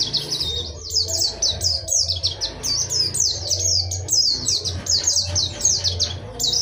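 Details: Oriental white-eye (pleci) pouring out a dakun wilis ngerol nembak song: an unbroken run of high, down-slurred chirps repeated rapidly, over a steady low rumbling hum throughout.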